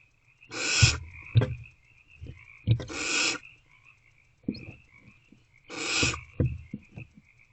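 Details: Barn owls at their nest box in the small hours of 28 February 2024 amid food deliveries: three harsh, breathy screeches spaced about two and a half seconds apart, with clicks and knocks, over a steady trilling frog chorus outside.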